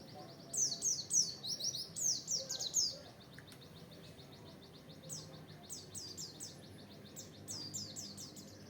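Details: Oriental white-eye open-beak (buka paruh) song for training: a loud burst of quick, high, sliding chirps for about three seconds, then softer scattered twitters and short chirp runs continuing at lower volume.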